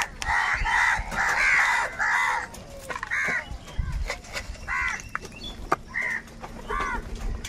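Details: Crows from a large gathering, described as fighting for food, give harsh cawing calls: a rapid run of loud overlapping caws, then single hoarse caws spaced about a second apart, with rustling and knocking noises.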